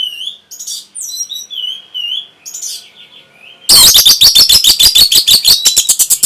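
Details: Song of an orange-headed thrush intended to trigger breeding readiness and replies; soft, sliding whistled notes give way to a loud, fast train of harsh, evenly spaced chattering notes lasting several seconds.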